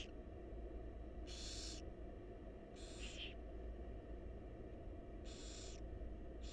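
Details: Wild barn owl chicks in a monitored nest box beg while their mother feeds them; three harsh, hissing screeches of about half a second each rise over a steady low hum.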